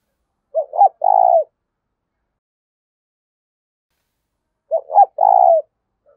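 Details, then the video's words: Low coo of a spotted dove in the urging 'thúc' voice, meant to lure wild birds: two brief hiccuping notes leading into a longer, steady coo, repeated twice about four seconds apart, with silence between. "Tiếng cu gáy THÚC hay giọng hạp bổi, mở lên bổi rừng nhanh về cội"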